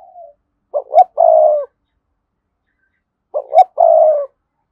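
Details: Decoy spotted dove with a strong, lively voice: a soft trailing coo, then two full phrases, each of short rising notes leading into a drawn-out mellow coo, with no other sounds.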